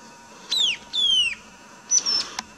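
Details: Two drawn-out shrill whistled squeals from white-capped tanager, each sliding downward, followed by a briefer higher thin note and a sharp click.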